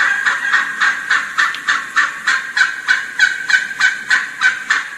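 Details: A wild turkey hen in a group of six or seven hens, calling to approaching gobblers, gives a fast, steady run of raspy, excited yelps, about three per second, with varied pitch, stopping when a gobbler gobbles.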